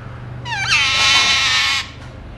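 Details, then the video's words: Alexandrine parakeet, a talking mutation eating seeds, lets out one long harsh squawk over a second in length, dense and rasping across a wide range, with a low steady hum beneath. "Parrots talking and eating seeds | Alexandrine Talking Mutation | non stop talking parrot"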